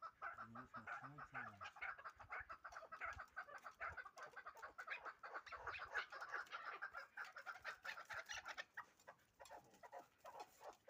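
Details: Hybrid fighting chukar partridges: dense runs of clucking chuck notes repeated rapidly for about ten seconds, with a brief human voice at the start and a busy background.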